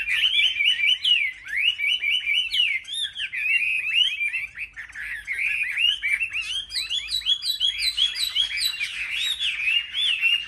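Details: Caged Chinese hwamei singing competitively among market birds: a dense, unbroken stream of rapid warbling, loud slurred whistles sweeping up and down, quick repeated notes and trills, sustained for ten seconds.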